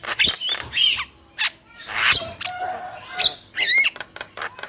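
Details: Black-winged myna, male and female together: scattered harsh squawks, clicks and looping whistled notes arrive in uneven clusters with short pauses.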